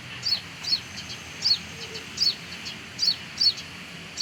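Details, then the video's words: Sunbird calling near its nest around a house: sharp, high, squeaky flicked notes repeated about once or twice a second at an irregular pace, clear over a quiet hissing background. "Gacor!!! Menemukan sarang burung penghisap madu sogok ontong di area rumah"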